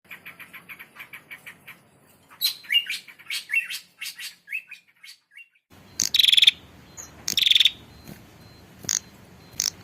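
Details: Female prinia calling the male, used as a lure sound: a quick series of thin high chirps, then loud buzzy rattling bursts with a steady high tone between them and soft clicks.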